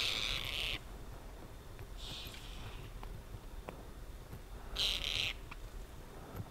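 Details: Tibetan partridge in the mid-winter freeze of Ladakh in the Himalaya, giving harsh, buzzy bursts about half a second to almost a second long: a loud one at the start, a fainter one two seconds in, then another near five seconds, over low rumbling background noise.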